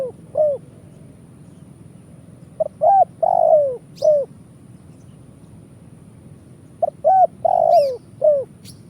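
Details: Spotted dove (tekukur) cooing in the 'kuk 1' style used to lure birds for trapping: phrases of short hooked notes and a longer falling coo, two phrases several seconds apart, quiet background.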